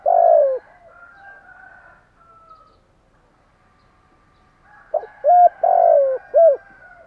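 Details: Spotted dove cooing in the morning, kept as a cage bird: a loud low hoarse coo, then a quiet pause of several seconds, then a second phrase of short hollow notes with a drawn-out coo.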